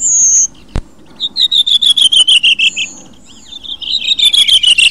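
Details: Redwing (Turdus iliacus), song.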